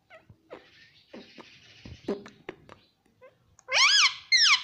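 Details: Pet parrot at home; soft murmured speech-like sounds and clicks, then two loud arching squawks at the end.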